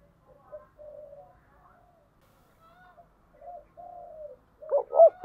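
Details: Spotted dove of the "giọng thổ" voice type, stirred for fighting or competition. Soft, distant-sounding coos come and go, with drawn notes at intervals. A loud close phrase of two sharp hooked notes bursts in at the end.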